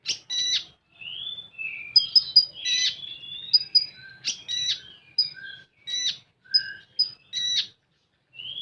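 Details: Common iora with a full tembakan song: loud clipped bursts repeated roughly every half second to second, mixed with short rising whistles and brief high pips, with clean gaps between.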